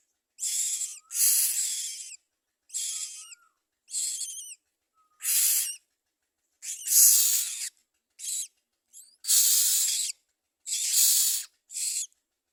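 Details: Common myna feeding young; about ten grating, broadband rasps of varied length, several short ones tipped with thin whistled notes, delivered irregularly over twelve seconds.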